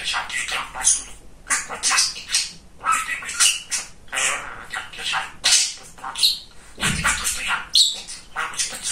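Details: A very talkative male budgerigar kept as a pet runs through a string of scratchy, high chattered syllables, with squawky notes and a brief low thump near the end.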